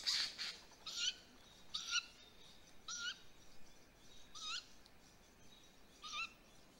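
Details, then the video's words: A great grey owl nestling at a nest in Mission Valley, 7:35 pm on 20 May 2020, during an evening prey drop, gives six harsh, hissing screeches, each ending in a short rising whistle, spaced about a second apart over a quiet background. "Great Gray Owl chick"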